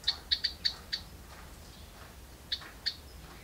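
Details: Begging house wren nestlings in a birdbox at feeding time: a quick burst of five sharp, high-pitched chirps, a short pause, then two more single chirps.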